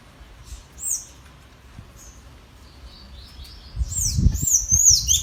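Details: Tanager kept by a breeder, dueling in song with a free-living wild bird: a lone thin squeaky note, then a rush of high slurred, twisting whistles near the end, with low-frequency rumble beneath.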